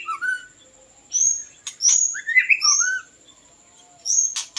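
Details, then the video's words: White-rumped shama (Copsychus malabaricus) song used for luring birds: clear, varied whistles, rising and falling slurs with a high sweet note and sharp clicks, over a steady thin high-pitched tone. "ធ្នាក់ល្វាចេកភ្លើង | White-rumped Shama Hunter | Copsychus malabaricus"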